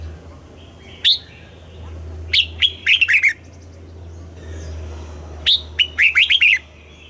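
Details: Red-whiskered bulbul in morning song, kept for singing: a single sharp chirp, then two bursts of rapid, downward-sweeping bright notes, each burst lasting about a second, over a low hum.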